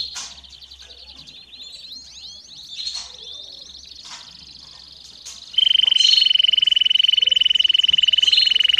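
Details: Canary singing for the training of young birds: softer rapid sweeping phrases, then a loud, steady, high buzzy trill held for over three seconds.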